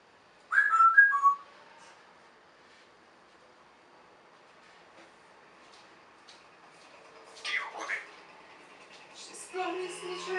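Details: Pet African grey parrot kept indoors, known for saying many things; a bright falling whistled phrase near the start, then quiet, later harsher voiced, talking-like sounds toward the end.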